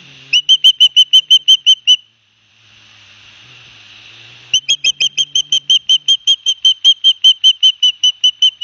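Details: Nest camera at Barnegat Light, New Jersey, 9 September 2021: osprey chicks being fed fish by their father. Two bursts of rapid, high piercing whistles, with a short hissy pause between them.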